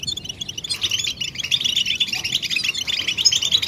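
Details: European goldfinch mating and readiness calls, played to stimulate silent males into singing: a dense, continuous mass of high, bright twittering notes that overlap thickly throughout.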